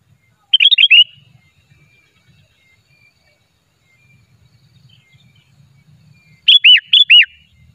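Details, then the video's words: Unedited sooty-headed bulbul song for luring birds into traps: a quick bubbly phrase at the start, then after a pause three clear arched whistles. "pikat burung kutilang 100% asli gacornya tanpa editan"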